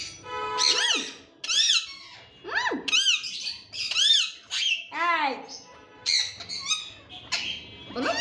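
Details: Indian ringneck parakeet, described as talking, giving a run of loud, arched, harmonic-rich squawky notes, some speech-like, about one each second with short pauses between.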